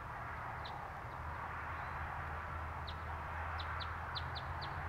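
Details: Cape robin-chat in a garden in Gauteng, South Africa, giving short, thin high notes, first scattered and then a quick run of about six, over a steady low rumble like distant traffic.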